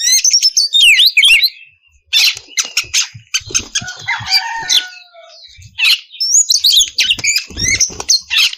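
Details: Oriental magpie-robin singing a clear, open style used as a lure to draw untrained birds into answering: bright high whistles and rapid trills, then a scratchier, busier stretch with lower tones, before whistled phrases return.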